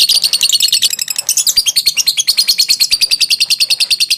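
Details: Lovebird in a long 'ngekek panjang' chattering trill, a sound used for training: fast, sharp, high-pitched notes repeated at a steady, almost mechanical rate through the whole stretch, loud and clear.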